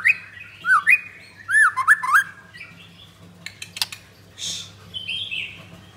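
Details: A Blorok white-rumped shama kept in Jakarta gives zigzag whistled phrases in two bursts, then sparse clicks and softer buzzy notes, over a faint steady hum.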